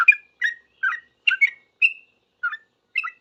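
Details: Sooty-headed bulbul giving a short run of clear chirpy notes, about two per second, some ending in brief whistled slides, responding to other bulbuls.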